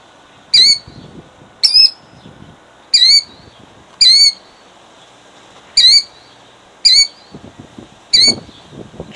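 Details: Nesting killdeer in Jackson, New Jersey, 2008, calling in defence of her eggs: shrill, high, downslurred cries repeated about once a second, seven in all, with light rustling between them.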